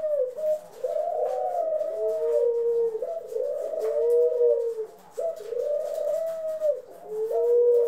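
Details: Pet ringneck, Senegal and hybrid doves, April 25, 2021: overlapping rolling coos from more than one bird run almost continuously, a higher warbling coo layered over a steadier lower one, with soft background rustle.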